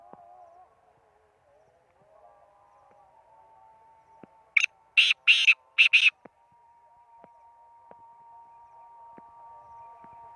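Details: Black francolin giving its call while perched on a person's hand, a burst of four loud, grating, buzzy notes in rapid sequence, set against a steady low hum and a few faint clicks.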